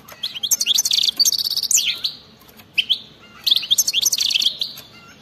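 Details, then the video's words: Wild-style European goldfinch song with bitbita, tumbling liquid twitters, a buzzy trilled passage and a descending slur, then a brief pause and a fresh run of quick chirps. "وسمعو هذا التغريد 😱😠 راح يغني بدون مقدمات بتبتة جنونية وغناء خلوي خرافي"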